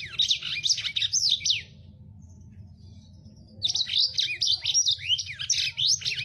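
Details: Fast, harsh song of a lemon-breasted canary, a finch kept for teaching captive birds: two bursts of rapid, scratchy chirps and steep sweeping notes, separated by about two seconds of quiet over a steady low hum.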